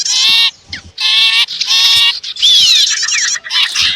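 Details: Small birds calling in a sipu and prenjak lure mix meant to attract wild birds: loud buzzy rasping bursts about half a second long, separated by short silences, then a jumble of sliding notes.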